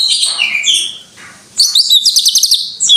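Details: Greater green leafbird in energetic 'gacor' song: high descending whistles, a brief quieter gap, then rapid trilled, rattling chirps repeated in quick succession.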